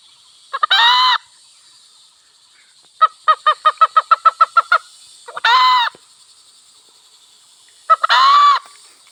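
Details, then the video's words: Wild hen and cock in a village setting: loud harmonic honking notes near the start and twice more later, with a fast run of about twelve short clipped notes between them. A steady high hiss runs throughout. "Sound of wild hen and cock"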